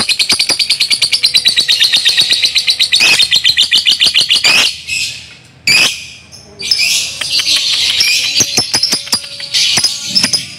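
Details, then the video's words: Lovebird in long ngekek song: rapid, harsh, high chattering trill pulsing steadily for several seconds, then a brief gap followed by a renewed bout of scratchy chatter and squeaks. "LOVEBIRD PAUD NGEKEK PANJANG"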